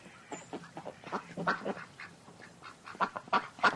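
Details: Ducks quacking in short harsh bursts, a loose run of nasal calls that grows louder and more clustered toward the end, with a few quieter notes between.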